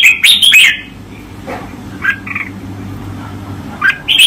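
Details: Red-whiskered bulbul master song for training, with an opening burst of quick whistled slurs, a near-silent pause with faint soft notes, then a closing bright phrase.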